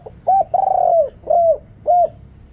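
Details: Spotted dove, a deep-voiced decoy bird used to call wild doves, recorded with noise removed; four low hooked coos, a long drawn middle note followed by two shorter rounded coos, with clean pauses between.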